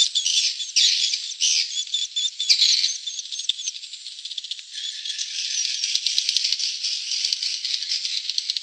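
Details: Swiftlet lure call recording: a dense, high, rattling swiftlet twitter with thin whistled notes threaded through the continuous buzzing stream.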